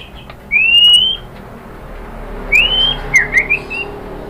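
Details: White-rumped shama song played to prompt other birds to answer: a long rising whistle, a pause, another rising whistle, then quick short twittering notes.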